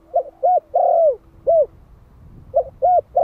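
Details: Spotted dove of the Malai type, a one-year-old decoy in Vietnam, calling to draw in wild doves. One full phrase of short coo, coo, a long sagging coo and a closing coo, then the start of the next phrase. A faint steady hum sits underneath.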